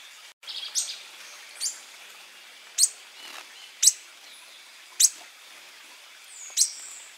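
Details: Koepcke's hermit in Peru gives thin, very high, sharp squeaky notes spaced about a second apart, unevenly timed, over a quiet background.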